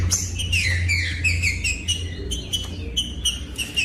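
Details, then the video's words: Singing green-winged saltator in captivity, used to excite other birds: a run of loud whistled notes dropping in pitch, then shorter repeated whistles, over a low electrical hum. "COM TRINCA FERRO CANTANDO O MELHOR VÌDEO PARA ESQUENTAR TRINCA FERRO"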